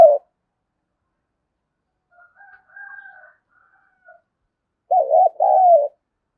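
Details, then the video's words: Spotted dove coo meant to spur young doves into cooing: faint scattered murmurs, then near the end a clear low two-part phrase, a wavering note followed by a longer, level note. "tieng cu gay kich boi nhanh noi"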